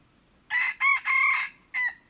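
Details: Crow of a red junglefowl dated 21 February 2025. Three strong raspy syllables run together, the middle ones longest, then a brief pause and a short abrupt closing note. Background otherwise quiet.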